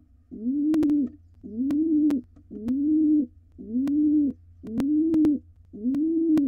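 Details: Low, steady pigeon cooing from a wild male courting his mate at a nest box with nestlings about to fledge; six rounded coos roughly one per second, clicks and taps overlaid.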